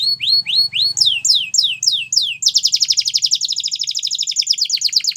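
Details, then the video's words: Canary singing, used to encourage quiet canaries to sing: spaced rising whistled notes, then slower falling sweeps, giving way to a very rapid dense rolling trill. "Your Canary Is Quiet ? Will Sing Again After Listening To This"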